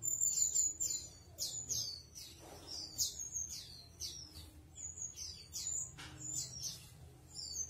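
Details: Chestnut-capped thrush (anis kembang) giving a continuous high, thin song of rapid descending chirps and whistles repeated at a fast pace, over a low background hum.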